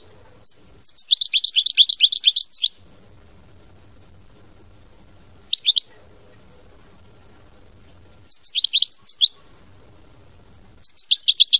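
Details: European goldfinch song in repeated bursts: a long run of rapid bright twitters, short chirps, another twittering phrase and a final burst, with quiet pauses between.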